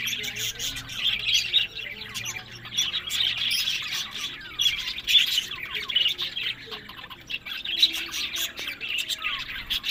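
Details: Budgerigars kept as pets chattering steadily: a busy mix of high warbles, squawks, short chirps and clicking notes overlapping without pause, as from a group of birds, with sharp tick sounds scattered throughout.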